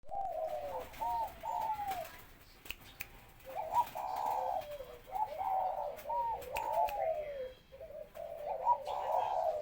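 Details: Spotted dove kept at home, giving soft low cooing phrases in bursts, with short pauses between groups and faint clicks in the background.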